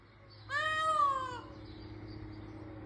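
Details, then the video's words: An Indian peafowl (peacock) on a hobby farm gives one loud, nasal, cat-like wail lasting about a second, gently rising then falling, over a low steady background hum. "Have you ever heard a peacock noise? Here is what Peacocks calls sound like! cats calling"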